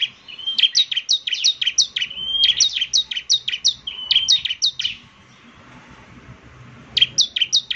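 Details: Ciblek semi, the bar-winged prinia, singing actively: groups of sharp high chirps broken by thin drawn-out whistles, then a long pause before a final short burst.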